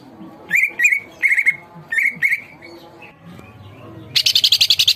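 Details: Greater green leafbird singing energetically: paired and single slurred whistles with long trailing tails, a softer pause, then a loud, rapid burst of harsh, high rattling notes at the end.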